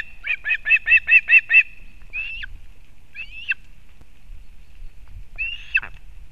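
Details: Osprey female bringing fish to the chick at a nest in Kurzeme, Latvia, 31 August 2024: seven rapid, evenly spaced piercing chirps, followed by three separate drawn-out whistled cries with quiet between them.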